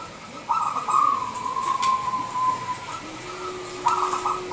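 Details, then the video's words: Local zebra dove from Indonesia cooing as a lure for other doves: a long steady vibrating coo lasting over two seconds, then a second starting near the end, with a low faint tone underneath. "Suara Pikat Perkutut LOKAL Super Gacor sangat COCOk Buat Pancingan Perkutut Lain."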